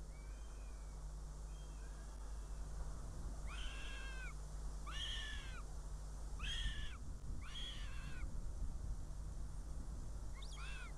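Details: Northern goshawk at a nest in Riga, Latvia, on 19 June 2017 at 14:59, as the female brings prey and then flies from her chick; a series of five arched, whining calls about a second apart over a constant low electrical hum.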